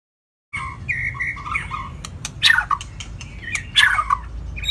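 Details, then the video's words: White-rumped shama song meant to rouse other shamas to sing: a few sustained whistles, then two loud, harsh, descending bursts separated by quieter pauses, with a steady low hum underneath. "chòe lửa hót giọng dài,kích lửa cho chòe lửa căng lửa"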